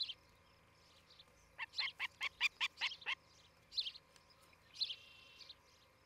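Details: Osprey calling from a nest near Charlo, Montana, captured by a nest camera at around 8:36 on 07-11-2018. After a quiet start comes a fast burst of about eight clipped, piping chirps, then a few scattered chirps and softer notes.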